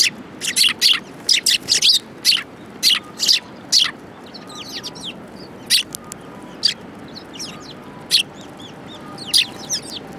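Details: Sparrows gathered around food at a Japanese shrine in January 2018: a rapid run of loud chirps early on, then sparser single chirps with faint thin twittering between them.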